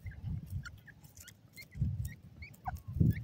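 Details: Golden ringneck pheasant chicks giving short high peeps, some rising and some falling, scattered irregularly through the clip over loud low thumping and rumbling handling noise.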